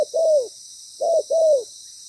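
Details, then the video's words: Ground-trapping decoy spotted dove with a strong, well-patterned voice, currently moulting. Two pairs of soft, low coos are heard, each a short note then a longer, gently falling one, over constant faint hiss. "Bổi lớn tiếng,chim bài bản"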